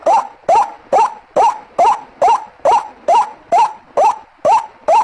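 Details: Lure call of the white-breasted waterhen, called ruak-ruak: around twelve nasal, grating notes in five seconds, each swooping up at the start, repeated in a tight, steady rhythm.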